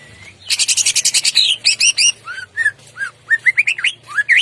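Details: Greater green leafbird in the morning, a loud 'ngentrok jambul' song with rough bursts: a dense, harsh, buzzy rattle of rapid high notes, then a run of clear whistled slurs, some rising and some falling, with short gaps between them.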